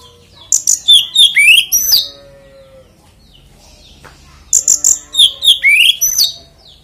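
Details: Kacer, the oriental magpie-robin, singing to provoke other magpie-robins; two similar phrases of high chips and a rising whistled slur, about three and a half seconds apart, with a soft lower whistle after the first.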